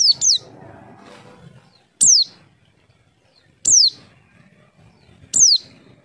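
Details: Javan white-eye call played as a lure so birds answer: a quick pair of high whistled notes, then single sharply falling thin whistles repeated roughly every one and a half seconds, clean background.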